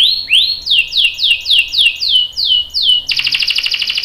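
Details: Canary chirping as a lure to prompt another bird to answer: evenly spaced, loud downward-sweeping 'cuit' notes roughly three per second, then an abrupt switch to a rapid buzzy trill.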